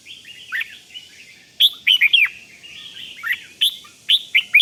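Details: Red-whiskered bulbul giving 'rik' calls to excite other bulbuls. Soft rolling warbles alternate with loud sharp chirp clusters around two seconds and again near the finish.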